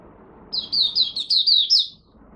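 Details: Captive Malaysian oriental white-eye warming up in the morning. It gives one brisk phrase of about seven high, slurred, tinkling notes in quick succession, lasting roughly one and a half seconds, then stops.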